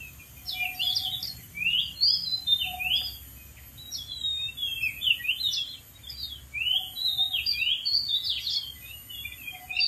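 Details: Wild Oriental magpie-robin singing vigorously from a dead tree. Dense, unbroken stream of varied whistled phrases, quick up-and-down slurs and scratchy notes, with a faint low whistle repeating in the background.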